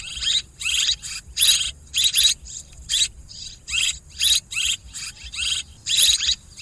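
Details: Swiftlet lure for farming, with harsh buzzy chirps repeated roughly every half second in uneven rhythm. Each note is short and rasping, and a low steady hum sits in the background.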